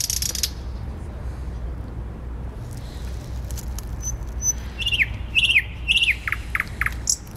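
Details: Thrush nightingale in Warsaw city centre, Poland, 12 May 2020: after a quiet stretch of low traffic rumble, a burst of loud whistled notes sliding downward, repeated in a quick series, with a brief high note at the end.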